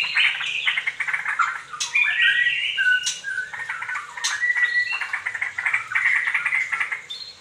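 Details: A young straw-headed bulbul, one of a pair, pours out loud, rich, bubbling song: a continuous run of warbled whistles and harsher churring notes, rising and falling with no pauses.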